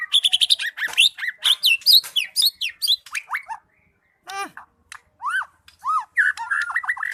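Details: White-rumped shama giving energetic 'gacor' song: a rapid burst of varied chirps and upswept whistles, a short pause, then loud separate downslurred notes and mixed chattering phrases.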